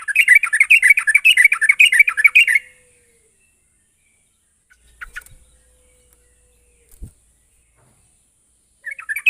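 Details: Sooty-headed bulbul song used as a lure to get a bird to sing steadily: fast bubbly chattering phrases for under three seconds, then near silence with a few faint notes before the chatter resumes at the end.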